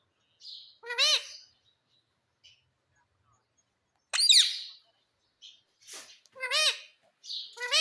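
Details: Pet parrot that speaks, saying mitthu and mummy; spaced arched nasal syllables, a sharp squawk near the middle, and scattered soft chirps between longer pauses.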